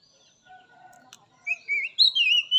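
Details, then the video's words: Wild Oriental magpie-robin song, used as therapy to get captive birds singing: after a quiet start, a bright whistled phrase rising in steps and swooping high. "Suara Khas Kacer Alam || Terapi Kacer Bahan, Trotol dan Macet Bunyi"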